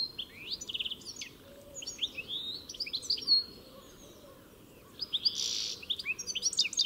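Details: European goldfinch (Carduelis carduelis) song: rapid tinkling twitters, short buzzy trills and bright rising chirps in quick phrases, pausing briefly midway, over a steady low background hiss.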